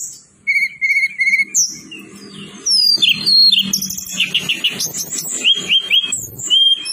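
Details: Tledekan gunung, a mountain songbird, singing a lure song meant to prompt silent birds to answer: a high rolling, rapid medley of thin whistles, trills and sharp chirps in bursts, starting with repeated level whistles, over a low steady hum.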